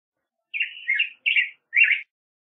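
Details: Black-headed grosbeak giving a brief phrase: a drawn-out warbled note followed by two shorter, husky whistles, evenly spaced, against silence.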